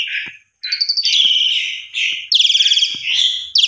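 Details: Asian pied starling singing as a morning lure for mute or stressed birds: scratchy chattering phrases with faint clicks, then a loud, rapidly pulsed trill and more harsh notes.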